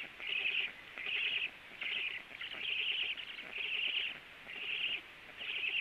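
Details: Black Storks at their nest at 10:49, two birds present as one lands: wheezy, hoarse high notes in rhythmic bursts about once a second, each lasting around half a second, over a low background hiss.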